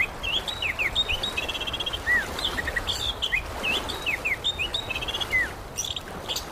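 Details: Orange-headed thrush song used as therapy to get a silent bird singing: varied, fast whistled phrases with slurred and trilled notes, some rising, some falling, repeated without pause, with steady outdoor background noise.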